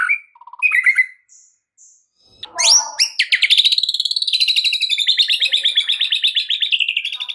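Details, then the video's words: White-rumped shama giving a full run of 'isian' filler song, played to prompt a silent caged shama to sing: a few short notes, then a long, rapid chattering trill of fast repeated notes lasting several seconds. "Murai Batu FULL BONGKAR ISIAN"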